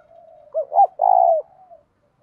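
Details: Decoy spotted dove calling to spur fighting: soft low murmuring leads into two looping hoots and a long vibrating coo that falls at the end, followed by quiet faint cooing.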